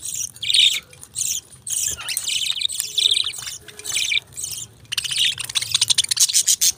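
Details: Budgerigars, small pet parrots, chatter in loud buzzy chirps and warbles, ending with a rapid series of clicking, ticking notes.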